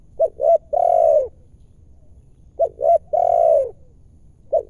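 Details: Wild spotted dove at an afternoon luring site, in an area where the bird was originally caught: two short coos, then a longer, drawn-out falling coo, repeating about every 2.5 seconds against a quiet background.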